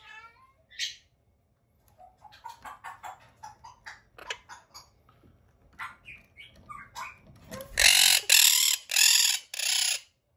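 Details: A pet monk parakeet, angered when its territory (especially its cage's bottom mesh) is disturbed, chatters in rapid, scratchy bursts, then gives four loud, harsh screeches near the end as a threat call.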